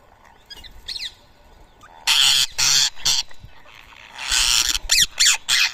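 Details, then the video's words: Rose-ringed parakeets feeding on soaked boiled rice in Coimbatore, India, at 7 AM on 31 March 2024: a few faint rising notes, then loud harsh broadband screeches in several bursts, ending in rapid screeching calls. "Indian Ring Neck Parrot Food Feeding"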